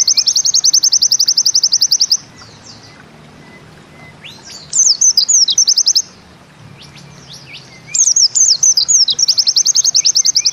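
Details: Pleci white-eye delivering its 'nembak ziperrr' song: bursts of very rapid high trilled notes lasting about two seconds, broken by short pauses filled with a few sweeping whistled and chattering notes, then the trill resumes.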